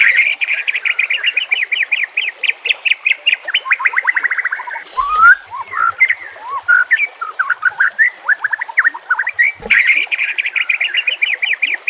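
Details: Murai batu, the white-rumped shama, singing 'nembak kasar' style masteran used to train birds: long runs of fast, evenly repeated sharp notes, a varied warbled middle section with one brief thump, then the rapid repeated series again.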